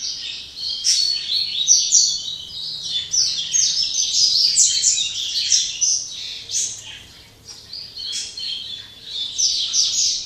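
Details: Double-collared seedeater, a captive bird from Jaboticabal, São Paulo, Brazil, singing Máquina-style at day's end after singing all day; dense, high, rattling and warbled notes run nearly unbroken, with faint low hum behind.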